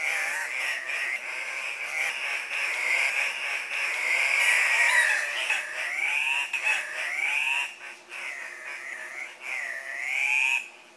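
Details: Andean cock-of-the-rock males gathered at a lek, competing for breeding females by bobbing, hopping and calling; a dense, continuous chorus of nasal, wavering squawks with rising and falling tones overlapping throughout, fading briefly near the end.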